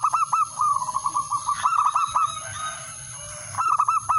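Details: Male zebra dove calling a rival, used as a lure: a long, rapid rolling series of coos, a quiet gap, then a short phrase of four coos, over a steady high whine.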